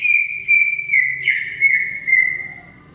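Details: Greater green leafbird in long song: a sustained, slightly pulsing whistle that drifts gradually lower, broken by a brief buzzy flourish midway, then fading out at the end.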